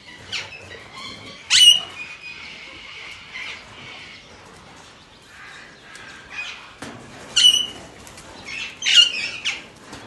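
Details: Alexandrine parakeet giving a few loud, harsh squawks spaced several seconds apart, with quieter chattering between them over a soft background.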